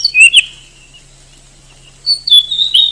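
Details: Oriental magpie-robin song, a popular contest bird in Indonesia: a quick pair of sharp whistled notes, a long silent gap, then a run of varied piping and warbled whistles toward the end.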